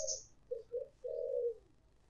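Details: Spotted dove used as a decoy for luring: a short coo, two quick coos and a long mellow croon, low and hollow, over a light background hiss with a brief high hiss at the start.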